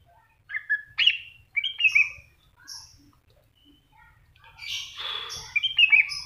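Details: Greater green leafbird delivering loud, slurred whistled phrases early on, then a louder, busier passage of mixed chattering and whistled notes toward the end.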